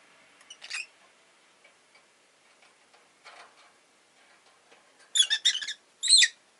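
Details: A pet rosy-faced lovebird gives harsh, high, buzzy chirps: one near the start, then a quick burst of three and a final shriek, amid possible city noise such as cars and motorbikes.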